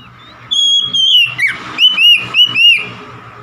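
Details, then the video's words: Oriental magpie-robin in a cage: a sustained high whistle, then a series of four or five arched, rising-and-falling whistled notes given about every quarter second, over faint low hum. "KACER SETRES MACET BUNYI LANGSUNG GACOR"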